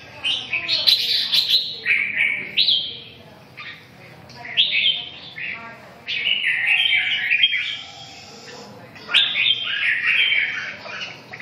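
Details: Red-whiskered bulbul singing short, bright warbled phrases that rise and fall, delivered in bursts every couple of seconds over a steady low background hum.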